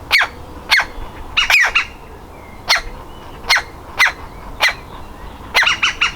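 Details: Young woodpecker desperate to leave its nest cavity, giving harsh scratchy calls, sometimes doubled, irregularly spaced, ending in a quick triple.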